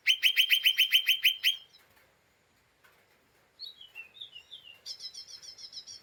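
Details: Agitated lesser green leafbird in 'ngeriwik' mode, a chatter meant to provoke other birds: a loud run of quick chips, a pause, then softer slurred whistles and a thin, rapid buzzy twitter.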